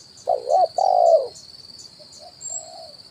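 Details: Decoy call of a spotted dove for luring wild birds, 'kuk 1' style from branch and ground: a wavering coo followed by a long drawn hoot, then softer distant coos, over a steady high-pitched hiss.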